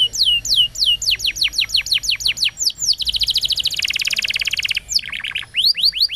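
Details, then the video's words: Canary song recording meant to teach young canaries and rouse ones that stopped singing. Repeated falling slurred notes lead into a long, very fast buzzing trill that steps lower, then the slurs resume. "Kenari Gacor Panjang !! Masteran Burung Kenari PAUD dan Pancingan Kenari MACET BUNYI"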